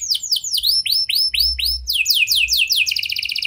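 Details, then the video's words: Canary song in the prenjak and lovebird style, played to coax reluctant canaries into singing: a string of bright swooping whistles, each dipping and rising, running into quicker rolling notes and ending in a tight, rapid trill. "Pancingan Kenari Gacor Cengkok Prenjak Lovebird! Ampuh Buat Memancing Kenari Macet Agar Gacor"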